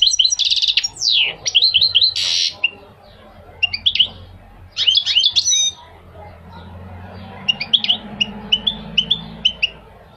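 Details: Goldfinch song made of varied high twitters and sweeping whistled notes in several bursts, separated by short quiet gaps, over a faint steady low hum.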